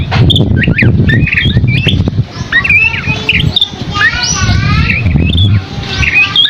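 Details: Scaly-crowned babbler song of quick whistled chirps and wavering slurred phrases, heard over strong low rumbling background noise.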